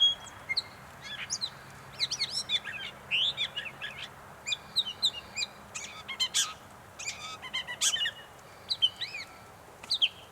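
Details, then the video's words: Varied, chattering phrases of a gray catbird in North Tetagouche, New Brunswick: squeaks, slurs and clipped notes tumble out in irregular bursts for about ten seconds. "Gray Catbird"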